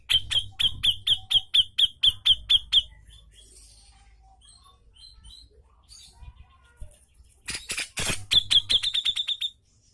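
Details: Brown-cheeked bulbul in an energetic tutor recording: a long string of about ten piercing high notes, evenly spaced near three per second, faint chirps, a harsh burst, then a rapid closing series.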